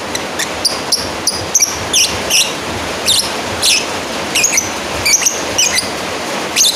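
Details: Lovebird calling a rival with a rapid run of many short, shrill chirps and harsh shrieks, around sixteen in under seven seconds, irregularly spaced, over a steady hiss.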